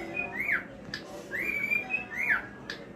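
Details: Male cockatiel song with three arched whistles, each rising then dropping, spaced about a second apart, separated by soft clicks.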